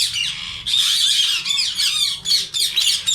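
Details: Ringneck parrots of India kept in a colony in summer, with several birds overlapping in dense, continuous harsh screeching and grating calls that barely pause.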